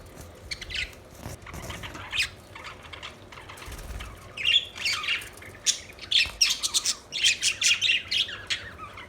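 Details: Budgerigars chirping, quiet scattered squawky notes at first that build into a quick series of loud, rhythmic chirps and chatters in the second half.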